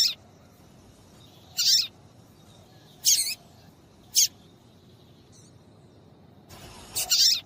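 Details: Female yellow-bellied seedeater calling to set males singing; a run of high, thin chirps, some paired, at irregular gaps of about a second, ending with a longer rasping note.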